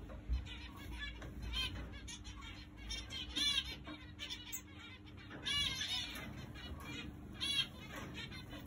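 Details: Caged zebra finches in a flight, about to be moved to breeding cages, giving a busy chorus of short nasal chirps and buzzy notes from several birds over a steady mechanical hum.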